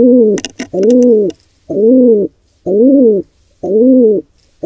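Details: Wild pigeons at a nest watched by a birdcam, where an intruding pair attacks a squab. Harmonic, arched calls of about half a second repeat roughly once a second. A few clicks and scrapes come early on.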